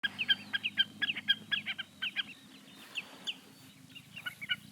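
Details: Common snipe calling: a rapid, rhythmic series of dry, ticking two-part notes, about two per second, breaking off midway and resuming more loosely, over a low steady rumble.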